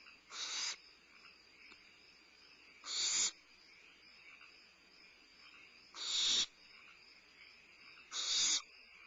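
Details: Limping barn owl owlet using its wings for balance during a midnight meal at Starr Ranch, 22 May 2011, giving four breathy hisses, each under half a second, spaced two to three seconds apart.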